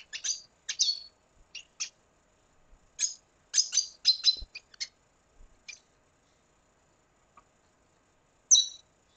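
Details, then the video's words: Red siskin song from Venezuela: bursts of high, sharp twittering notes in quick clusters, then a pause, and a final bright chirp at the end. "Canto Cardenalito Venezuela"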